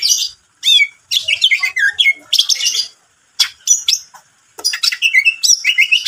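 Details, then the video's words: Greater green leafbird singing a busy song: clusters of bright whistles, slurred notes and rapid chatter arrive in bursts separated by brief silences. "PANCINGAN CUCAK IJO GACOR"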